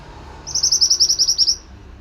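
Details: Tutoring recording of a pied bushchat in vigorous song: a clean burst of about eleven high, ringing chip notes in roughly one second, evenly paced and loud, in otherwise near silence.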